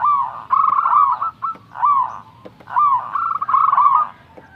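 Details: Local zebra dove in full song, young and singing steadily. Purring, rolling coo phrases with fast trilled middles and slurred endings repeat almost without pause, over a low, soft background hum.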